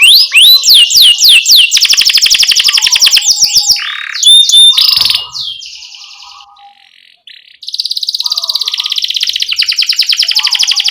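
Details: Canary singing for young canaries to copy: rapid swooping whistles into a long buzzy roll, mixed harsher notes, a near-silent gap, then a fast even high trill.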